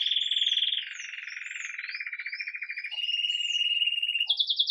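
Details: Red mosaic agate Belgian canary starting the day with lively Campainha song, recorded live: rolling trills stepping down then up in pitch, with faint higher whistles above and a high pulsed trill at the close.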